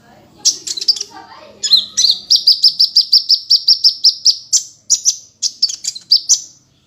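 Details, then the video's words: Sunbird called kolibri ninja in Indonesia, singing a rapid series of thin, high whistled notes, about four per second, evenly repeated after a few introductory chips, in a quiet setting. "Masteran Suara burung Kolibri ninja"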